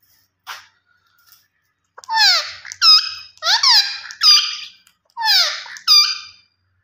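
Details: After a couple of faint squeaks, a green ringneck parrot gives repeated loud, raspy screeches in paired bursts, each falling sharply in pitch.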